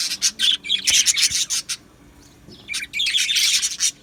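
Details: Australian budgies chirping in an aviary colony on 12 July 2025, with quick bursts of high, scratchy tweets about four a second, a near-silent gap in the middle, then another lively burst of chatter.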